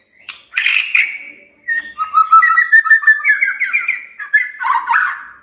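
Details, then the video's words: Magpie-robin used as a lure recording to prompt quiet birds to sing: a varied, rich run of whistles and chattering notes, with harsh squawky bursts at the start and end. "Pancingan Murai DIAM Agar Rajin Bunyi"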